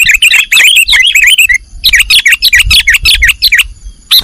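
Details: Nggaruda song of a sooty-headed bulbul, a recording for training cage birds: loud, rapid, rolling whistled notes in two dense phrases separated by a short break, with low background rumbling.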